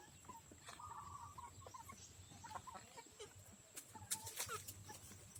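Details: Backyard free-range chickens give soft, short clucks and a brief drawn call amid rustling, clicks and a constant high-pitched hiss.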